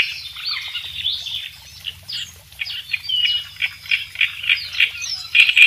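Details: Kerak besi in lively song used as a master recording for training songbirds: soft whistled sweeps and slurred notes build into evenly spaced sharp chirps, louder at the close.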